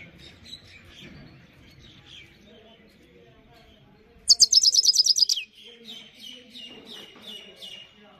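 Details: Himalayan goldfinch gives a dense, fast buzzy-tinkling trill lasting about a second, then scattered softer high chirps, with a few faint notes before it.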